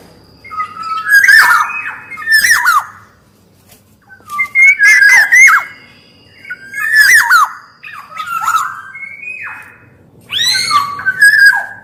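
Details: Kepodang emas singing in repeated bouts about every two seconds: each burst mixes a grating squawk with mellow, bending whistles, with quieter gaps between bouts.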